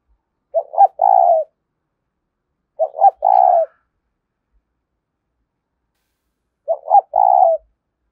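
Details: Lure cooing of a spotted dove in the 'thúc' style: three low phrases, two separated by a long gap, each made of two quick notes and a drawn-out coo.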